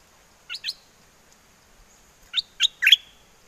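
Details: Caged bulbul from Chana, Songkhla, Thailand, in wild forest song style calling a mate: two short pairs of bright, upslurred chirps, a second of quiet, then three louder whistled notes.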